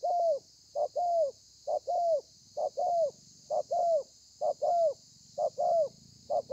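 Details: Thổ pha style cooing by a spotted dove, dated 30 November 2020: about eight tidy pairs, a crisp short coo followed by a smooth, falling longer coo, at an even pace, with a steady high hiss throughout.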